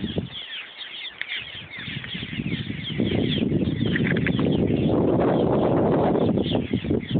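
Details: Many cliff swallows at a large colony on a bridge over the Yellowstone River north of Springdale, Montana, chatter in a steady stream of short, squeaky, creaking notes, backed by loud rushing river water.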